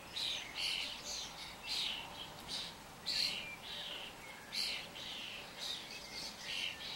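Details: Common starlings gathered in a wandering flock, giving a steady series of harsh, buzzy chirps and squawks in short bursts about every second, with high hissing overtones and no other clear sounds.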